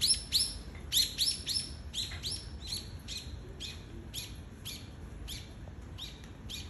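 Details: A wild bird in a residential area on a rainy day gives rapid repeated high chirps, each a short down-slurred note, about three or four a second and fading over time, over a steady hiss of rain.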